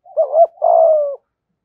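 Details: Single spotted dove phrase, 'thổ' voice with 'gù thúc' cooing meant to attract wild doves: a brief wavering double coo then a long, slightly falling drawn-out coo, clean with no background.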